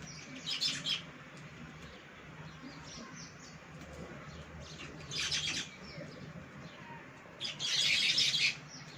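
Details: At a balcony they visit during the monsoon, baya weavers give three separated bouts of sharp, high scratchy chattering, the last one longest and loudest, with quiet steady background hum between them.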